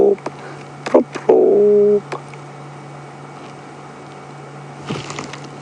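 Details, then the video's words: A dove gives low, hollow coos, two short notes then a longer steady one, at the end of the day on 7 March 2016 at Djuma Game Reserve, with a vehicle engine humming and a few faint clicks. "to the left hand side of your screen, a dove is calling."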